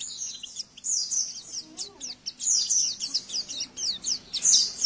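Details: Oriental white-eye song for training other birds, recorded quieter: steady, high, thin chirps and short twittered notes repeated through the passage, with a faint low murmur partway through.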